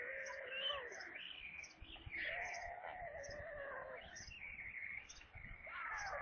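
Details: Evening feeding at a White stork nest in Kaluga region, Russia, 22 July 2022, 17:52, with a corncrake as prey. Several overlapping wavering, nasal whining calls rise and fall continuously, with steady high clicks about once per second.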